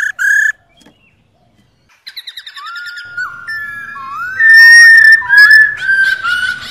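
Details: White-cheeked laughingthrush female in 'ro rò' calling, meant to stir caged birds into song: one short harsh burst, a quiet pause, a quick stuttered series, then flowing looping whistles rising and falling that grow louder toward the end.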